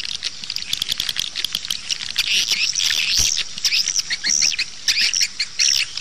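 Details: Swiftlet calls for luring birds to nest houses: clicking bursts followed by high, squeaky twittered phrases repeated in short runs.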